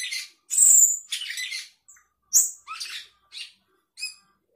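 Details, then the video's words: Sooty-headed bulbul, actively singing with isian fill-in phrases meant to defeat rival birds, gives harsh scratchy bursts mixed with a piercing high whistle and short chattering notes. "Cucak keling gacor isian bikin lawan terkapar"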